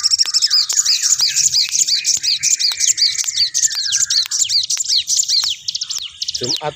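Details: Tame, very vocal sooty-headed bulbul (Sogok Ontong) singing on 30 December 2022: a dense run of high, quick chirps and down-slurred whistled notes, busy and overlapping, with a lower sustained tone underneath and a few sharp clicks.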